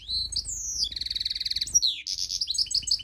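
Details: Tame goldfinch mule singing: a varied, high song of slurred whistles. A fast buzzy rattle of rapid repeated notes follows, then bright chirping phrases, with a low room rumble beneath.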